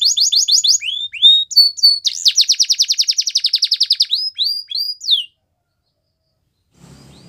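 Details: Canary singing: rapid high trills and repeated down-slurred notes, a long fast rattling trill in the middle, then upward-swept whistles, ending in near silence with faint low hum.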